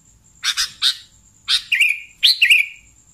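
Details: Sooty-headed bulbul lure sound: three quick harsh chirps, then two groups of rasping notes each ending in a buzzy drawn-out tail, against a steady faint high-pitched tone.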